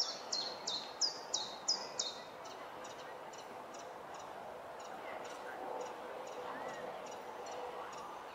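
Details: Common chiffchaff singing at the end of June, when most songbirds have gone quiet; loud, clipped high notes come rapidly over the first two seconds, then fainter repeated notes continue in the background.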